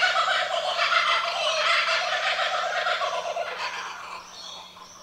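A kookaburra's loud, harsh cackling chatter: dense rolling laughter-like notes that ease and fade over the last second, over a faint steady hum.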